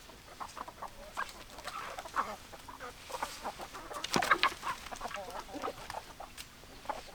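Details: Flock of chickens clucking and squawking together, dense overlapping clucks with a louder burst of calls partway through.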